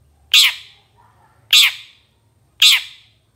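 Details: Long-tailed shrike, from a songbird-training master recording, giving three loud scratchy squawks spaced a little over a second apart. Faint low hum between calls.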